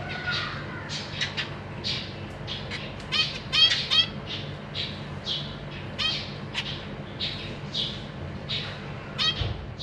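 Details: Zebra finch family in a cage, 14 April 2023: parents feeding three juveniles and three newly fledged babies. Dense, lively series of short nasal, trumpet-like chirps, several voices overlapping, about three calls a second.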